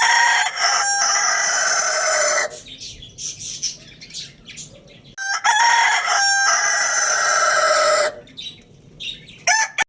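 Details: Lohmann Brown rooster at Lalukhet bird market crowing loudly twice: each crow is a long, raspy, harmonic cock-a-doodle-doo of about two and a half seconds, separated by a gap filled with small birds' chirping, with another brief crow cut off at the end.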